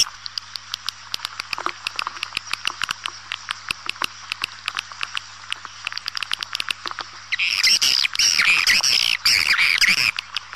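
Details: Swiftlet lure sound for calling swiftlets: a rapid stream of dry clicks and short chirps over a constant low hum, ending in dense buzzy twittering bursts.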